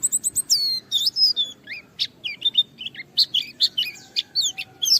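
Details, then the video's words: Challenging white-eye song intended to provoke rivals into singing: fast, varied high twitters, a long descending whistle early on, then jumbled chirps and trills, with a faint steady tone and low background noise. "Suara Burung Pleci gacor menantang Lawan akan memancing semua Pleci ikut Gacor Buka Paruh"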